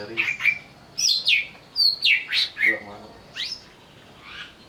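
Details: Greater green leafbird, stirred up and provoked to sing, gives a series of loud, sharply slurred whistles, each dropping or rising quickly, spaced roughly every half second, ending with softer notes.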